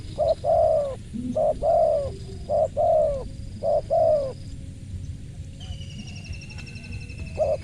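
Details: Crisp-voiced spotted dove giving a run of mellow coos: several paired phrases of a brief note followed by a longer sliding coo, then a pause and one more note. A faint high tone and low background rumble.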